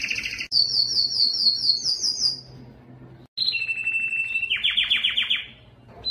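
A canary sings bright, high trills and rolling phrases, with a few quick downward sweeps. Each phrase changes to the next with no pause, and no other sounds are heard.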